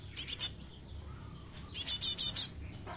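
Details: Young Java sparrow lure bird giving a short trio of high chips, then a longer run of about six rapid, ringing chip notes, with faint downslurred squeaks in between.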